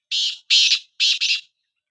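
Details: Black francolin, one of two birds set in a calling contest: a brief series of four harsh, buzzy, grating notes, the last two closely paired, in a quiet setting.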